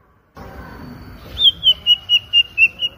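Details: White-rumped shama giving about seven evenly spaced, clear high whistles, each rising and falling slightly, after a soft start.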